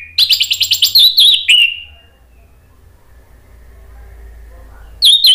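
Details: Orange-headed thrush recording used to prompt captive birds to sing: a rapid burst of high, sweet, slurred whistles lasting about a second and a half, a pause, then another burst.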